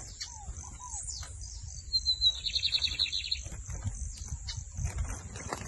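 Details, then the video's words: Lined seedeater delivering a torneado-style song: a thin rising lead-in note sliding into a rapid, dense, buzzy trill lasting over a second. Earlier, two soft curved whistles from another bird are heard, and low rumbling noise runs throughout. "BIGODINHO MAGNATA FOI PRA CIMA COM TUDO DO TORNEADO SOLTO!"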